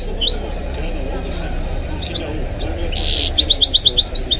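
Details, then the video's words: Goldfinch × canary hybrid (mule), a pet bird, singing high twittering notes that end in a fast buzzy trill, over steady background Arabic speech from football commentary. "The maestro's singing is amazing - the goldfinch hybrid"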